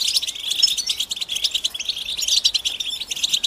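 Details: Chorus of European goldfinch mating and readiness calls used to provoke males into song, a steady stream of sharp, high, liquid chirps from several birds pulsing in quick bursts.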